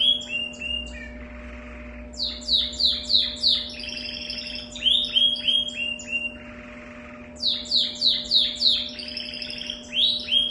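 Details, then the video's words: Canary with an unusual song: bursts of rapid, repeated downslurred notes at about three per second, bright and high, broken by short buzzy trills and brief pauses, with a faint steady electrical hum beneath. "canário com canto diferente"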